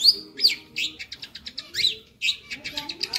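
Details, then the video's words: Long-tailed shrike masteran, gacor style with lively fill: loud downslurred whistles alternating with quick chattering clicks in a fast, uneven sequence. "suara masteran burung cendet gacor ,isian hidup"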